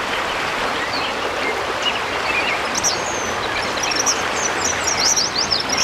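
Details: Eastern Kingbird calling in Bozeman, Montana: high, sharp, sputtering chips that build into a rapid, buzzy chatter near the end, over steady rushing water.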